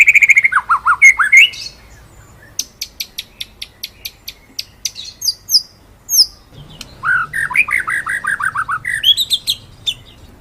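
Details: White-rumped shama master song for training birds: loud lower whistled phrases, a series of high clipped chips, then a rapid descending run of rich whistles and high rising notes.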